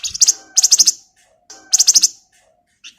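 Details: Male flamboyan song used to lure other birds: two loud bursts of five or six rapid, very high chattering notes, separated by a short silence, with a brief faint note at the end.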